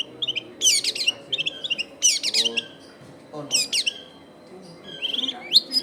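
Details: Singing Long-tailed shrike, used to lure wild shrikes, recorded in a densely populated home area: bursts of scratchy, buzzy high phrases and twittering notes separated by short gaps, with a low background murmur.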